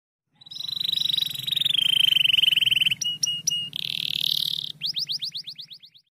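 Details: Yellow canary singing, a training song: a long steady high trill, then short repeated notes and a run of fast rising sweeps, with a faint low hum beneath.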